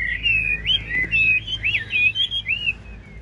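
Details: Short stretch of a caged hwamei's 'ngũ trường' song, sung while nodding in 'lion dance' fashion. It is a continuous chain of clear, looping whistled phrases that rise and fall.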